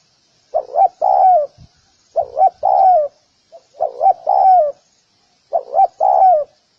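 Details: Spotted dove giving four phrases of soft mellow coos, each a double quick note then a longer downward-curving coo, spaced by short pauses; light constant hiss in the background.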